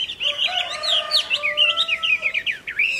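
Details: Chinese hwamei in lively late-afternoon song, 15 April 2024: dense, fast, varied whistles and trills tumble together, with a steady, drawn-out lower tone running beneath.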